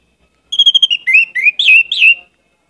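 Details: Energetic singing from an Orange-headed thrush: a fast stutter of identical high whistles, then rising and falling fluty slurs run together in one continuous phrase.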